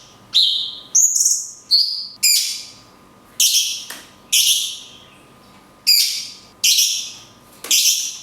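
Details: Mountain tailorbird (local name cungkok) giving its long 'tembakan kunti' song with natural pauses, recorded to teach other songbirds: high sharp whistles that fall away, delivered in rapid succession roughly every half to one second over a low hum.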